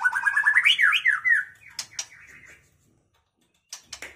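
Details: White-rumped shama of the Tuban line from East Java: a quick series of rich fluty whistles rising in pitch, then looping slurred phrases. After about a second and a half come a few sharp ticks, then near silence and faint clicks.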